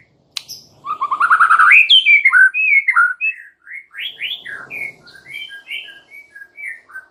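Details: Single very vocal White-rumped shama in full song with fill-in phrases: a loud sharp click, a dense rising burst of notes, then a long varied string of clear slurred whistles, rising and falling, delivered rapidly without a break.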